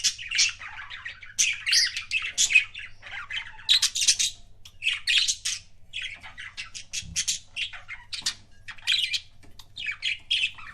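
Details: Pet budgerigar kissing sounds delivered in short bursts of scratchy clicks and high chirps, separated by brief pauses of about half a second, clear and close, with a low hum and a soft thump.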